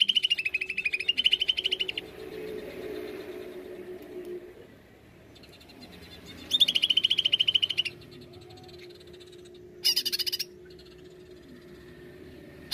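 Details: A Greater green leafbird in full song, used as a lure recording to trigger singing, gives three bursts of fast, high, rattling chatter with slurred whistled notes, separated by pauses, over a low steady hum.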